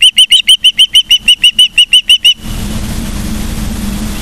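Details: Ospreys at Charlo, Montana, filmed by a nest camera on 15 September 2023, 12:55, giving a quick, even run of piercing whistled chirps, roughly three each second, which stop abruptly into low background rumble.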